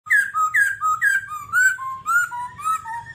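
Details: Babbler singing a steady series of clear whistled notes, each sliding downward, about two per second, alternating higher and lower pitches, over a faint low hum.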